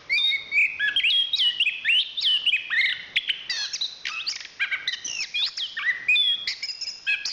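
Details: Chestnut-capped thrush, a national champion songbird, singing a long varied song of clear whistled notes, rapid rising and falling slurs and short chirps between mid and high pitch, phrases following closely with brief gaps.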